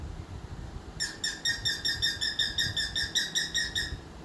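A cockatiel gives a quick series of bright, harmonic chirps, roughly three each second.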